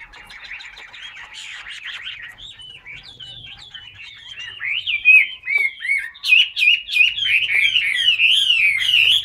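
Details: Caged Chinese hwamei sold as a wild-caught bird, singing a rich, varied warbling song of slurred whistled phrases that grows louder and higher after a few seconds, with faint background clatter.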